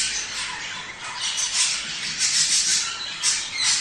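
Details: Budgerigars chattering, a sound said to prompt them to mate: an unbroken, bright, hissy warble of squeaks and squawks, with louder peaks toward the end.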